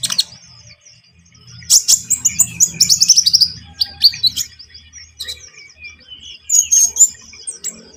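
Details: Lively Javan munia singing, used as a trapping lure: a quiet start, then a dense run of sharp, high, descending chirps. After this come scattered thin tweets and a short final flurry.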